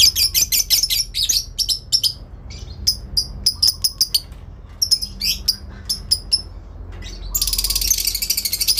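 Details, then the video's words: Lovebird hen in a long ngekek, calling back and forth with a rival: quick bursts of shrill, high chirps in rapid clusters with short gaps, ending in a dense continuous shrill chatter. "induk love bird ngekek panjang , saling nyaut memanggil lawan...!!!"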